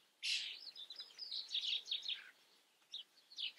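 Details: Common starling, Eifel, Germany: a loud harsh note opens a short burst of warbling chatter and whistles, followed by a few faint chirps.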